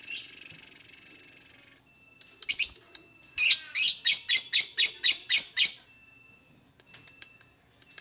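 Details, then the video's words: Lovebird singing, used to provoke other lovebirds into song: a buzzy drawn-out note, a pause, then a rapid burst of about ten loud harsh chattering notes, ending with faint scattered ticks. "LOVEBIRD SINGING"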